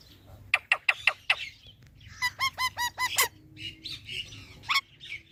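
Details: Parrot starting with five sharp clipped chirps, then a run of hooked, honking notes in quick succession, ending with a few scattered squawks over low background hum.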